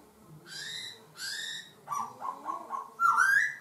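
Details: Laughingthrush song that shifts voice: two drawn-out rising whistles, then a quick run of short clipped notes and a final bright rising flourish.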